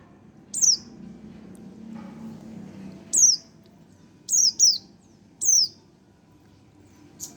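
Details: A one-month-old young Oriental white-eye gives thin, high, downslurred tsee notes, single and in a quick pair, at irregular intervals over faint low background hum.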